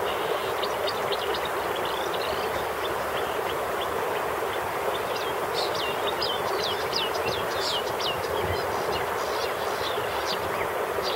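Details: A young common starling (Sturnus vulgaris) by the Jizera river gives rapid, high, scratchy chirps, a steady run of sharp notes, over a loud constant rush of flowing water.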